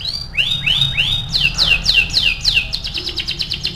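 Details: Lure song of a canary meant to set other canaries singing: three upward-curving whistled notes, then four downward-swooping notes, ending in a rapid high trill of short repeated elements.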